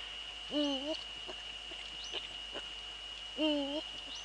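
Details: Deep hooting of a male Eurasian eagle-owl, recorded in the Netherlands at 17:30 on 6 February 2013. Two low, wavering hoots come roughly three seconds apart over a constant high-pitched electronic whine and faint ticks.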